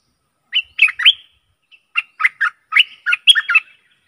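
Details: Stripe-throated bulbul singing as a decoy for fierce wild birds: a short phrase of three bubbly notes, a pause, then a longer run of about eight warbling, slightly slurred notes.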